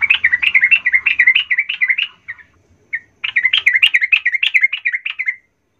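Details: Sooty-headed bulbul pancingan, a provoking sound for rousing other bulbuls: a long run of quick, lively up-and-down chattering notes, a brief break with two isolated chips, then another energetic run.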